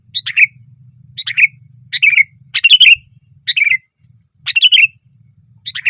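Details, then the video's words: Sooty-headed bulbul perched on a branch, singing loudly: short slurred, bubbly phrases repeated roughly every three-quarters of a second, bright and chattering, over faint low hum. "SUARA BURUNG KUTILANG GACOR KERAS KETIKA DIATAS RANTING"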